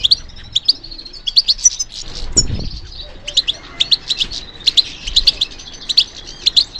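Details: Goldfinch song given in response to stimulation: a lively run of sharp, high tinkling notes and liquid twitters, repeated in quick clusters, with a brief low thump partway through.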